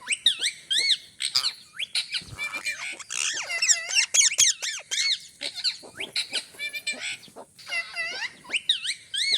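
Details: Pet talking parrot giving a busy string of squeaky, whistled and screechy calls, many rising-and-falling slurred notes, with sharp clicks between them.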